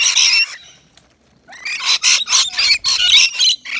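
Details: Rainbow lorikeets at a balcony nectar feeder offering wet lori mix; a harsh shrill screech, a second of quiet, then a rapid run of loud grating squawks repeated about four times per second.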